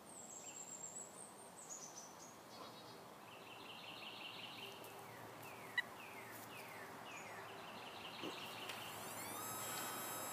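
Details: Birds singing in a backyard in central North Carolina on a lazy afternoon: faint high whistled notes and short downward-slurred phrases repeat over a steady insect drone and hiss.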